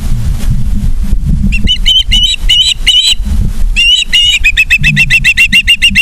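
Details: Osprey at a nest in Charlo, Montana, on 3 September 2023, evening: loud, shrill, piping whistles in uneven bursts, speeding into a rapid regular run of chirps toward the end, with a constant low hum beneath.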